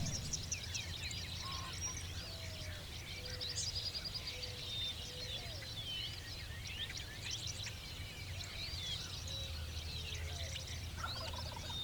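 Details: On a farm with diverse bird habitat, a Dickcissel's sharp, repeated, long sweeping chirps stand out within a busy chorus of overlapping birds, with bobwhites and occasionally a ring-necked pheasant, over a steady low rumble.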